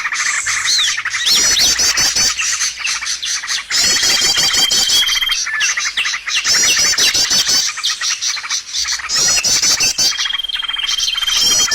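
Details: Lure calls meant to draw in birds for trapping: repeated bursts of shrill chattering and zipping trills, separated by quieter gaps, with a long pure whistle running underneath at times.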